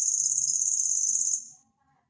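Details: Cricket-like song of the imported cici lurik, a tutor bird for songbirds: a high, buzzing, rapidly pulsed trill that fades out after about one and a half seconds, followed by faint low murmurs.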